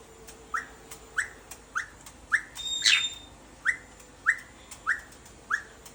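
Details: Excited pet caique: short rising chirps repeated about every 0.6 seconds, broken midway by one higher, thin whistled note. Faint clicking sounds in the background.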